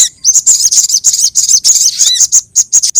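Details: Crimson sunbird lure sound: a continuous stream of very high, buzzy twitters and sharp chips, with one low downslurred note, close and loud throughout.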